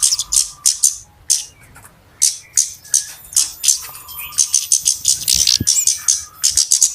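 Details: Flowerpecker lure recording for catching birds: spaced, then quickening, very high dry tick notes, with a soft lower whistle from another bird heard twice in the background.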